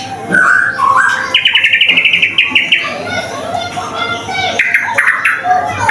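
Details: White-rumped shama, used as a lure to get other shamas singing quickly: whistled phrases, then a rapid, even trill of repeated notes, then further varied whistles, with background noise throughout.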